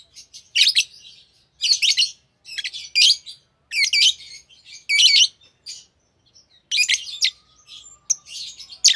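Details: Green Fischer's lovebirds, a captive pair, singing in long sequences of grating, squeaky chatter bursts roughly every second, with thin high twitters filling the gaps.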